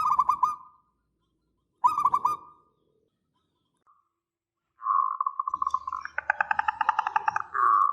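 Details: Local zebra dove with a long, lively song used as a lure and master recording. Two short bursts of fast rolling coos are followed by a longer stretch where layered, pulsing notes stack and overlap before a final sustained trill.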